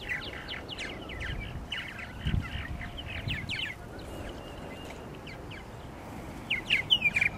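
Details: At nesting gourds on Lake Mackintosh, Gibsonville, North Carolina, purple martins give a busy stream of short, gurgling, overlapping chirps, thinning in the middle, with a louder cluster at the close.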